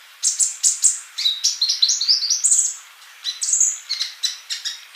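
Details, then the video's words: Masteran tutor recording of a gacor sunbird: quick runs of very high, thin whistled notes and chirps, a dense burst for about three seconds, a short pause, then more scattered chirps. "MASTERAN UNTUK BURUNG COLIBRI GACOR"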